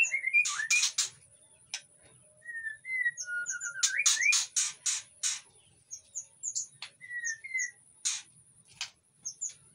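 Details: White-rumped shama in breeding condition in an aviary in Indonesia, calling to lure other shamas: repeated harsh scratchy rasps interspersed with short clear whistles, over a low background hum.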